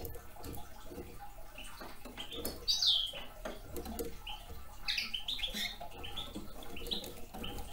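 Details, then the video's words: Young male Red Crossbill busy on cones: a bright high chirp, then a quick cluster of sharp chips, set against dry crackling and tapping of opened cones. "Клест еловик"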